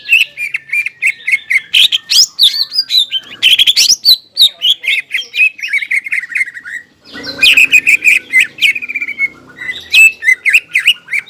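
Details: Greater green leafbird with raised crest singing, used to stir stressed, silent leafbirds; long varied sequence of rapid high chirps and slurred whistles, a brief pause, then more fast chattering phrases.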